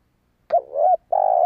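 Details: Spotted dove call meant to draw in wild doves: a single phrase with a quick rising note, a wavering mid coo, a brief pause, then a long, even, low hoot that runs to the end.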